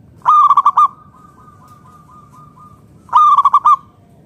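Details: Zebra dove of local wild stock, kept as a lure to set other doves singing: two bright pulsed coo bursts three seconds apart, with a thin drawn-out cooing note from another dove running between them.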